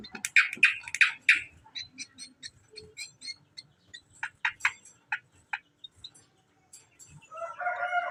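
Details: Greater green leafbird reared by hand, opening with loud scratchy chips repeated about twice a second, then scattered soft ticks and clipped notes, ending in a harsh, wavering chatter.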